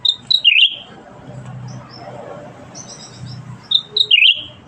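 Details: Actively singing bulbul, known locally as cucak ranting, giving two short bursts of bright whistled, warbling chirps, one at the start and one near the end, separated by a quiet gap with low background hum.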